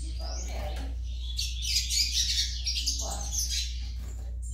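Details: Juvenile coleiro baiano (Yellow-bellied Seedeater) giving a rapid, warbled run of high twittering notes that swells in the middle, over a constant low electrical hum.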